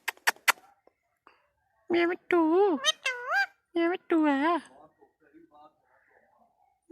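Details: Indian ringneck parakeet talking in a room, giving several wavering, speech-like syllables in a nasal voice amid short pauses. People speak Hindi nearby, and brief clicks open the recording.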